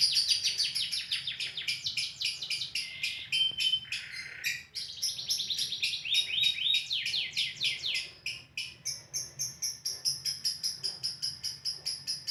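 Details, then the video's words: Ngekek song of a lovebird in a live recording: long stretches of rapid shrill trilling and chatter, a few short whistled notes mixed in, ending in a steady train of quick pulsed notes. "Lovebird Ngekek Panjang Terbaik"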